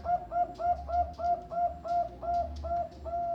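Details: Farm-bred Bangkok zebra dove from Kediri delivering a run of rounded, evenly spaced coos, about three per second, each with a soft lilt, over a faint low background hum.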